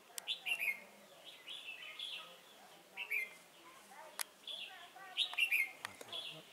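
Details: Red-whiskered bulbul used as a decoy bird for trapping, recorded on 28 November 2017: short bright warbled phrases in bursts, separated by pauses, with sharp clicks.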